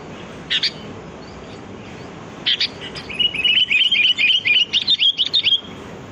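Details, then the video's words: Sooty-headed bulbul heard in the wild, recorded as a lure for catching birds: a few isolated sharp chirps, then a fast run of about a dozen bubbly, evenly repeated notes. "Suara pikat burung kutilang || Kutilang Gacor"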